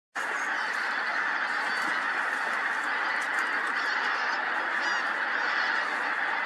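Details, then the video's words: Large flock of pink-footed geese at Montrose Basin, re-aligning their position as the tide ebbed: a dense, continuous wall of overlapping honking and chattering calls with no pauses, steady throughout, with a few sharper higher notes standing out. "Pink-footed Geese - Montrose Basin"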